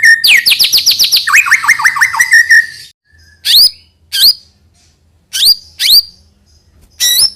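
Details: White-rumped shama song used to lure young birds into singing: a loud, rich run of rapid falling whistled sweeps, then a pause and four separate sharp upslurred whistles at irregular intervals, with a low hum beneath.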